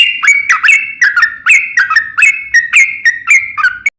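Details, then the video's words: Sooty-headed bulbul giving fluty, slurred two-part whistles at about three per second in a steady stream, part of a long 'ropel' lure song played so other bulbuls reply. "trucukan gacor ROPEL PANJANG pancingan trucukan agar bunyi JADIKAN burung trucuk gacor NYAUT"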